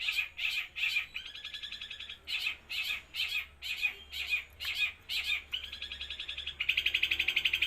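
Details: Long-tailed shrike in loud, non-stop 'los trotol' style song: harsh, scratchy bursts about twice a second, broken by short buzzy rattling trills, with a longer dense rattle at the end.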